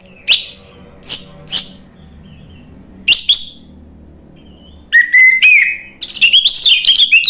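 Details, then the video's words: Red-billed malkoha song from Indonesia, used to stir a silent bird into singing: scattered sharp high chips with pauses, then a long sliding whistled phrase and a fast warbling run of high notes. "ANIS MERAH NGEPLONG GACOR"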